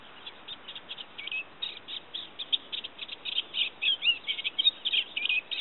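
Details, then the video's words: Olivaceous warbler singing at Kalloni Saltpans on Lesvos in May 2010: a fast, chattering, continuous stream of scratchy notes and short whistles, rising in loudness toward the end, with a steady background hiss. "Olivaceous Warbler, Lesvos"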